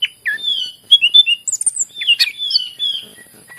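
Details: Greater green leafbird, song played to get other leafbirds singing: smooth fluted whistles and slurred notes alternating with a few sharp chips.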